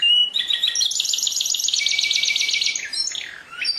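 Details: Canary song: a brief whistled note, then a dense rapid trill of repeated notes held for nearly two seconds, ending in looping chirps.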